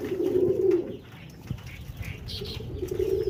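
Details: Pigeons cooing: a low, throaty purring coo near the start, quiet pause, then the rolling coo returns at the end, with faint higher chirps in between.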